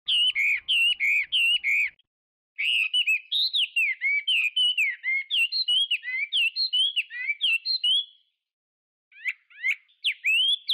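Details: Chinese hwamei singing loud clear whistled phrases, each short note repeated several times in rapid series, then shifting to new varied slurred notes, with two brief pauses between bursts.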